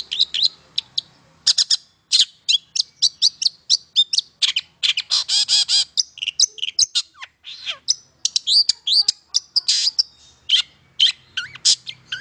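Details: Long-tailed shrike in full song, played to rouse silent shrikes into singing. A dense, fast stream of harsh chirps, buzzy notes and squeaky whistles runs almost without pause.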